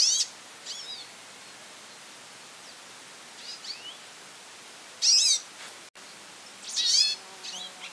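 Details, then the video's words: Goldfinch calling a lot: loud bursts of high, twittering, down-slurred notes around 5 and 7 seconds, with softer scattered chirps between and a steady hiss in the background. "pintassilgo chamando muito"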